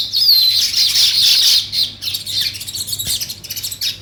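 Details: Weaver birds building a nest: a dense, continuous chorus of high chattering chirps and short whistles from several birds, thinning into scattered rapid chirps.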